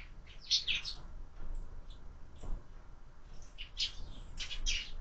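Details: Window-mounted feeder visited by sparrows at breakfast, giving a run of sharp high chirps, a lull with a few faint notes, then a busier cluster of chirping near the end, with low rumbling background noise.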